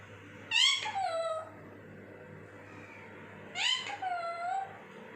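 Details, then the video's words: Two loud, raspy parrot squawks about three seconds apart, each dropping in pitch with a harmonic tail, from a talking parrot, with a constant low hum behind. "talking parrot"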